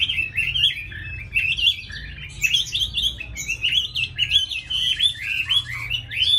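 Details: Caged, hand-tamed Chinese hwamei from Hanoi, Vietnam, a keen singer with a fine voice, delivering rapid, rich whistled phrases that loop up and down without pause, with a steady low background hum.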